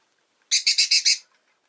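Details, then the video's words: Pet rosy-faced lovebird uttering a rapid burst of five shrill, grating chirps in well under a second, evenly pulsed and loud against an otherwise quiet background. "Lovebird Chirping Sounds"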